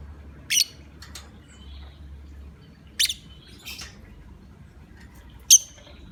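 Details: Lovebird lure sound for prompting other lovebirds to call: three loud, shrill, screechy bursts about two and a half seconds apart, with a fainter squeak after the second, against a low hum.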